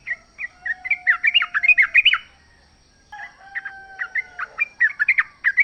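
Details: Wild sooty-headed bulbul singing continuously: chattering, bubbly whistled notes in two busy bursts, with a faint steady lower tone running beneath them.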